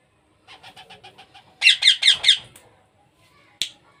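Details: A soft rapid series of nasal notes from a hand-fed baby parrot builds into four loud harsh rasps. One last sharp squawk follows after a pause.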